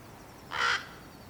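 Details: One loud hoarse rasping squawk from a young common raven that fledged on May 15th 2022, calling impatiently as it waits for its parents to arrive with food; quiet surroundings otherwise.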